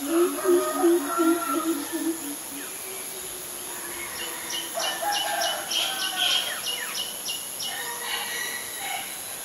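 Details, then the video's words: Greater coucal calling in Ubon Ratchathani, Thailand, on May 22, 2022, captured with a Nikon P1000: a fast series of deep, resonant booming hoots over the first two seconds, then chirping birds and regular high ticks. "นกกะปูดใหญ่ , ນົົກກົດ (Greater Coucal )"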